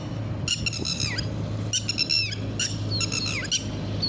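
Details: Red-wattled lapwing uttering harsh, ringing notes in quick groups of three or four, some ending in a downward slurred tail, against a constant low mechanical hum.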